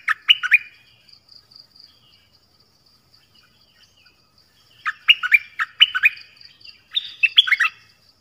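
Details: Song of the nok dok taeng, a 'phleng boen' style tune played so young birds copy it. A short opening phrase, a long quiet gap, then a run of clear whistled, swooping notes repeated in quick succession.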